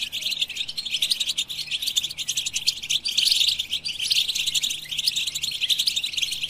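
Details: A European goldfinch sings a lively stream of high chirps and trills, the notes packed tightly together and swelling slightly louder midway.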